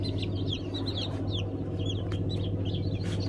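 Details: Newly hatched Brahma chicks at the season's first hatch, May 2019, in Turkey: many overlapping high, short peeps and chirps from a group, over a steady low machine hum.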